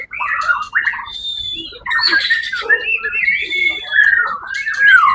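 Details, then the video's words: First-place white-rumped shama at the Suara Agung songbird contest, 1 October 2023, mixing clear flutelike whistles with lower chattering and harsh notes in a varied, steady flow. "murai batu"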